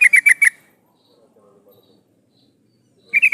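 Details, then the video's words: Sooty-headed bulbul female calling a male, used to lure males: a short burst of four quick, sharp chattering notes, a long silence, then another clipped burst starting at the end. "suara burung trucuk betina memanggil jantan"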